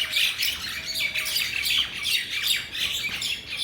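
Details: A flock of mynas in a Bangladeshi village keeps up continuous chatter of rasping squawks and bright whistled notes, overlapping in quick irregular bursts.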